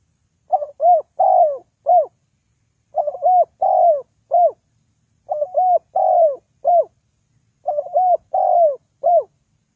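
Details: Spotted dove calling, used as a trapping lure: mellow cooing phrases of three or four notes, the middle coo longer and falling, each phrase repeated roughly every two and a half seconds with silence between.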